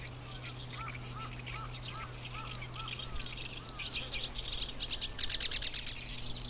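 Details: Black-browed reed warbler singing in Watarase grassland, Japan, in breeding season with eggs being incubated; lilting series of high whistled notes and lower down-slurred phrases, swelling into a fast buzzy chatter near the end, steady low hum beneath.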